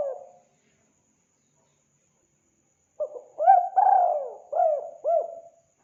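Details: Spotted dove call played to draw in wild doves: after a brief coo and a long silence, a phrase of low, mellow coos, with a drawn, slightly descending middle note followed by two shorter rounded coos. Quiet background.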